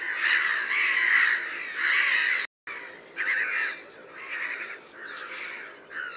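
Black-headed Gull giving harsh, rasping, drawn-out calls, about one a second, each grating and slightly falling, with a brief gap midway.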